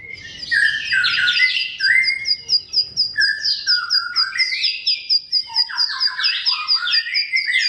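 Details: Varied song phrases of a bar-winged prinia, meant to coax silent or sluggish birds into song: rapid high ticking notes layered with tumbling, warbled chirps that dip and rise.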